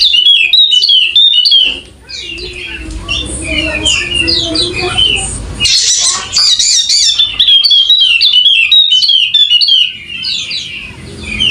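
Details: Golden-headed Wallacean white-eye, endemic to Sumbawa in West Nusa Tenggara, singing vigorously: rapid high, sharp chirps and twittered slurred notes, densely packed and irregular, with a brief pause near two seconds and faint low background rumble.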